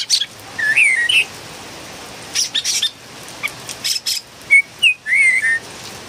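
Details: A noisy Philippine bulbul mixes slurred, up-and-down whistles with short harsh rasping notes; whistles open and close the phrase, and scratchy bursts fill the middle.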